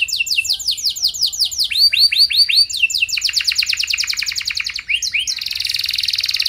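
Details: Canary in energetic song, aimed at provoking other canaries to sing back; repeated curved swooping notes in quick series, changing pitch in steps, then rapid chattering rolls and a dense buzzy trill.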